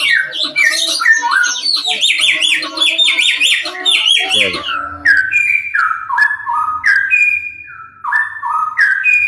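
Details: Straw-headed bulbul in full rolling song: after a busy stretch of mixed fast high notes from another bird, loud clear whistled phrases step downward in quick linked notes, repeated in short rich bursts.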